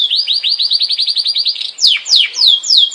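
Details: Yorkshire canary singing a fast rolling trill of rising-falling whistled notes, about ten per second, then switching to slower loud descending whistles spaced roughly three per second.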